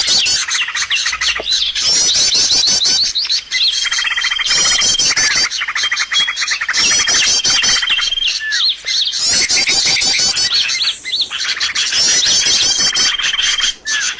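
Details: Birds chirp in a trapping lure track: continuous, crowded high twittering in loud bursts about every three seconds, broken by brief level whistles held for about a second.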